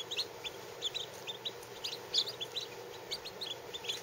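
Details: Lavender Orpington chicks under 24 hours old, some less than four hours, resting under a heat lamp; a chorus of short high peeps overlapping steadily, with a low hum underneath.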